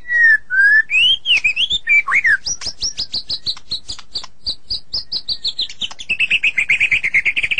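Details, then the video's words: Song of a white-rumped shama, meant as therapy for a sulking bird: low whistles slurring upward, then a fast run of high piercing notes, ending in a rapid buzzy trill repeated many times. "Terapi super murai yang sedang ngambek"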